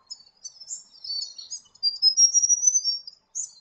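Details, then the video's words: White-breasted robin of south-western Western Australia's wetter forests, singing a continuous high twittering series of thin whistled notes and short trills, rising slightly and fluctuating, ending with a brief bright chirp. "White-breasted Robin"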